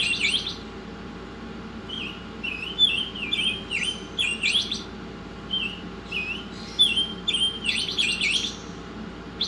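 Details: Pancolor Oriental magpie-robin in a song-tutor recording delivering clusters of clear dipping whistles interleaved with thin high ticks and chattering notes, phrases coming every second or two, with a constant faint background hum.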